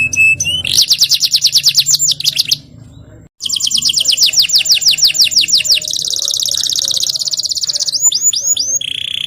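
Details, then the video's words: Canary ('kenari') in vigorous 'gacor ngerol nembak' song: a long fast rolling trill, a short pause, another extended rapid trill, then a buzzy roll, rising whistles and a held whistled note. "KENARI GACOR NGEROL NEMBAK | CANARY SINGING"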